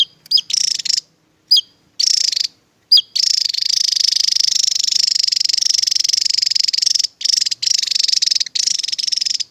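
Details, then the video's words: Tembakan-style song of a Javan tesia: a few sharp high whistled notes and short buzzy bursts, then long stretches of rapid, evenly pulsed high trilling with brief pauses; no other sounds present. "TEMBAKAN Burung TESIA JAWA"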